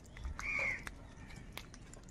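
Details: A crow gives one short, harsh caw lasting about a third of a second, followed by a few faint clicks over a quiet background hiss; crows recorded fighting over food.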